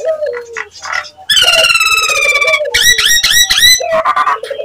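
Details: Nias hill myna giving a lure call meant to provoke other mynas: loud, harmonic nasal notes, a long falling stretched call, then quick bursts of bent, clipped notes, with softer low whistles between.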